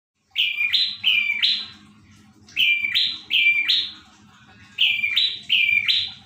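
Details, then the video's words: Prinia singing vigorously (gacor), giving three bursts about two seconds apart, each made of two sharp double notes that step from a steady lower tone up to a higher, buzzier one; faint low background hum. "Burung prenjak gacor dor"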